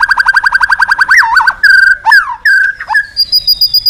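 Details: White-rumped shama song used as therapy to stimulate other birds to sing: a rapid series of about twelve repeated mid-pitched notes, then looping whistled slurs and a few sharp rising notes ending in high thin tones.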